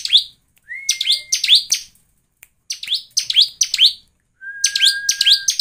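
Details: Lure song of a bar-winged prinia for coaxing other birds into song: a level whistled note leads into quick volleys of piercing high chirps, followed by a pause, a second run of chirps and a final long whistle.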